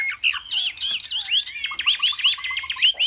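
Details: Displaying Chinese hwamei in a cage, Vietnam, giving a high, energetic song: wavering whistled notes followed by a rapid series of about ten repeated upslurred whistles.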